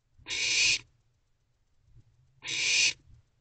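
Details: Barn owl owlets in an owl box at 1:45 am on 8 June 2023, one eating while another stands guard over its food; two harsh, hissing broadband screeches, each about half a second long, roughly two seconds apart, low hum beneath.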